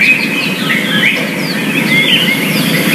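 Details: Wild yellow-fronted canary in its natural habitat, singing quick, bright, high chirps and short twittering sweeps scattered through the clip over a steady low rumble like distant traffic.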